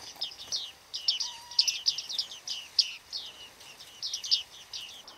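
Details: Bearded reedling flock behaving in autumn at Flamingo Lake, Shirvan National Park, Azerbaijan, on 8 November 2013, producing a rapid, dense chorus of high, ringing 'ping' calls, several birds overlapping continuously.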